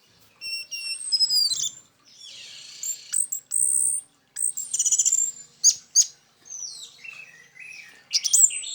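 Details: Orange-headed thrush singing, recorded as a lure for other thrushes of its kind: a rich medley of high whistles, descending slurs, rapid rattling trills and scratchy notes, delivered in quick varied bursts.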